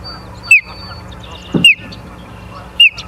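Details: Osprey at the nest in Charlo, Montana, 9 July 2023 around 09:42, giving three isolated short, downslurred whistles spaced over a second apart, with a faint soft thump between them and quiet background hum.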